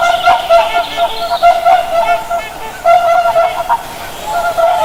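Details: Loud trumpeting honks from a group of swans, steady harmonic notes with short choppy pulses in between, several birds calling over one another.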